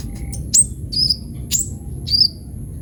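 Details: Kolibri ninja sunbird giving a few sharp, very high chirps and short slurred notes about every half second, separated by quiet gaps, over a steady thin electronic whine.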